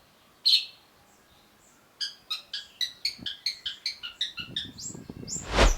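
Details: Long-tailed shrike (cendet) training recording: one sharp note, a pause, then a rapid, even series of about a dozen short clipped notes, ending in a low rumbling noise.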